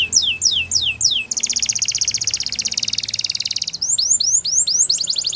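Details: Canary of Russian singing style, training song: descending whistled notes about three per second, then a long rapid rolling trill for over two seconds, ending in fast repeated downward-sweeping whistles.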